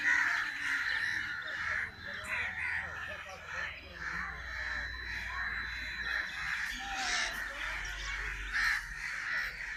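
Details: Crow calling with harsh, nasal caws, given in loose series of short bursts with uneven gaps between them, over a steady background hiss.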